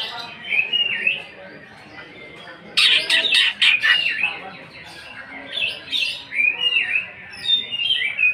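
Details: Greater green leafbird singing a 'nembak' roll with harsh 'isian' fill, played to provoke other birds: soft whistles, then a sudden loud, fast stuttering rattle lasting about a second, followed by bright whistled phrases repeated rapidly.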